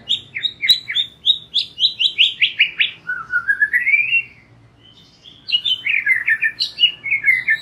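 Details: White-rumped shama singing as a lure for young and wild-caught shamas, to make them sing boldly: rapid series of sharp high downslurred notes, a long rising whistle, a short pause, then more fast varied chattering phrases.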